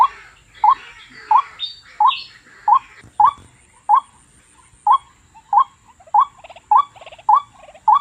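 A waterhen repeats a short, hollow, mid-pitched note about every two-thirds of a second. Other birds chirp faintly in the background.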